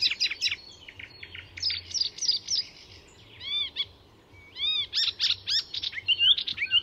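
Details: Icterine warbler in full, fast, varied song at Fysingen reserve north of Stockholm, Sweden: squeaky chirps, harsh notes and clear slurred whistles, with mimicked phrases of other birds' calls and songs mixed in.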